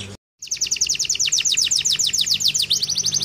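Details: Canary in full song, played to spur lazy canaries into singing: after a brief pause, a brisk stream of high sweeping notes repeated several times per second.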